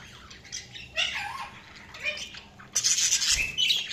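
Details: Budgerigars chirping in a busy mix of squawks and warbled chatter, short rising and falling notes overlapping, with a louder harsh burst near the end.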